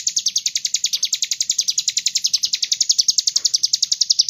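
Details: Sunbird (kolibri ninja) in full song, played to coax others into singing: a rapid, machine-like series of piercing high chirps, around eight per second, steady in pitch and rhythm for the whole stretch.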